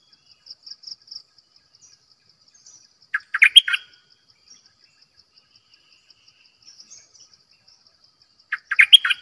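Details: Decoy bulbul singing two short bubbly, warbled phrases about five seconds apart, each under a second, over a steady high pulsing insect-like chirping in the background.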